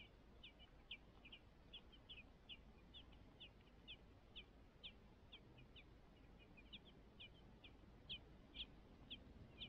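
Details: Five song thrush nestlings waiting to be fed in the nest make thin, high chirps, about two a second in uneven bursts, over a steady low background rumble.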